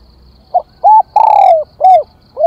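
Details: Spotted dove calling to lure other birds in: a sequence of five mellow coos, the middle one long and gently falling, the others short and arched, given in quick succession.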